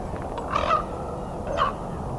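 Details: American Crow moving alongside a raven during a Christmas Bird Count on December 30, 2021, at Fletcher Creek Ecological Preserve, Puslinch, Ontario; two short, harsh caws about a second apart.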